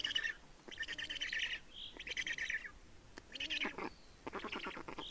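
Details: Estonian black storks at their nest on 30 May 2019 around 15:28 while changing over and feeding; series of scratchy, buzzing pulsed calls repeating roughly once a second, with a few brief thinner squeaks between bursts.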